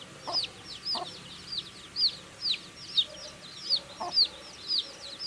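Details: Baby chicks eating food, giving high, thin, downward-curving peeps repeated about twice a second in an uneven run. Occasional soft lower clicks and taps, likely pecking at the food, sound beneath the calls.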